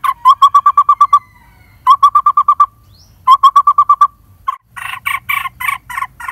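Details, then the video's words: Lineated barbet at a nest in the hollow of a dead durian tree, parents feeding a near-fledging chick; loud, mellow hooted notes in fast runs of six to eight, pausing between runs, ending with harsher, broader notes. "Lineated Barbet Feed Babies In Hollow Tree #2 – Bird Nest In Tree Cavity (Asian Barbet Sound Ep15)"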